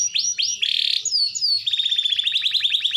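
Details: Captive canary singing to spur silent canaries into song: two rising whistled slurs, a dense buzzy block, descending whistles, then a quick run of repeated chipped notes.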